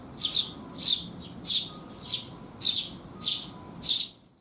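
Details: On a rainy June day in 2021, sparrows arriving to be fed call with sharp high chirps spaced about every 0.6 seconds, seven in a row, then quiet.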